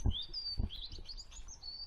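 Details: European robin singing in winter woodland at a Lincolnshire nature reserve of steep wet valleys; thin high whistled warbling phrases, sliding up and down, over two loud low thumps at the start.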